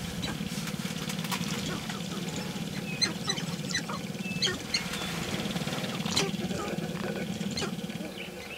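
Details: Early morning of May 5, 2019, sharp-tailed grouse in their mating ritual: a continuous low pulsing drum, with scattered sharp clicks, short whistled notes and snapping sounds over it.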